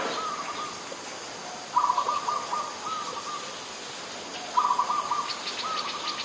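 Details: An adult zebra dove in Ubon Ratchathani, Thailand, recorded 13 May 2022, gives two soft, mid-pitched cooing phrases, each opening with a quick stutter of notes and trailing into longer coos, over a steady high hiss and faint chirps.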